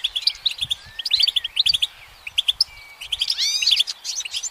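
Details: Perched on a branch in sunlight, a goldfinch sings a fast, tinkling twitter of high chirps and short trills, broken by a few buzzy rising notes.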